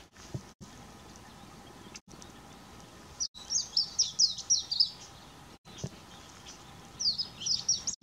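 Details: A female Palila foraging at 7:13 am on 20 July 2015 on Hawai'i's Big Island gives bright, high chirping notes in quick clusters of several, pausing between bursts, over a steady low background hiss.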